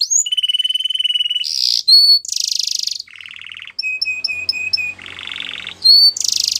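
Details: Training song from a yellow canary, built of distinct phrases: a long rattling whistled tone, harsh buzzy bursts, a low churr, and a series of short repeated two-part whistles.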